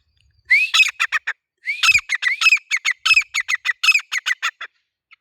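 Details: Male grey francolin: a rising shrill opening note leads into quick, loud, grating notes. A second longer series of repeated harsh syllables follows almost at once in a clean, quiet recording.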